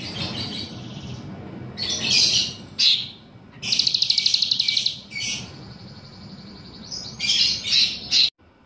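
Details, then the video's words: Bulbul singing vigorously, trained to include another bird's song, with bursts of high, buzzy, rapidly trilled phrases separated by short pauses and a faint low background rumble. "Cucak Ranting Gacor Isian Cicilin"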